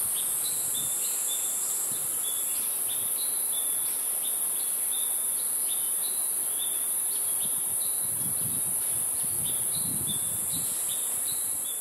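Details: Two young crested goshawks, recently fledged from the nest at National Taiwan University, late May, give thin, high, short calls in quick succession, about three a second, over a steady high insect hiss and faint low rumbles.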